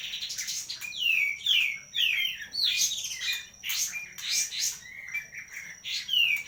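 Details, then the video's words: Song of a kapas tembak from Medan: clear descending whistles mixed with short chirps and squeaky flourishes, repeated in uneven bursts, over a continuous thin high hum. "Kapas tembak siregar kicau medan"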